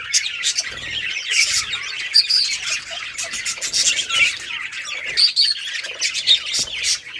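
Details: Budgerigars kept as a colony, playing and chirping on August 25, 2023; a continuous busy chorus of high, scratchy chatter with sharper whistled chirps and squawks breaking through every second or so.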